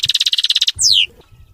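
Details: European goldfinch, locally called mqnin, singing a clean, error-free song: a quick run of bright repeated high notes, then one sharp downward-sweeping whistle, followed by quiet low rumbling.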